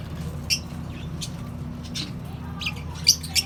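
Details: Lovebirds, cockatiels and budgerigars in a shared colony setup: scattered brief squawks and high chirps, sharpest near the end, above a steady low hum.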